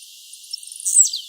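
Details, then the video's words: Wild blue-black grassquit singing free in nature: a single short, very high buzzy note that rises in a rush and then sweeps sharply downward, with faint chirps leading into it. "Tiziu cantando solto na natureza!"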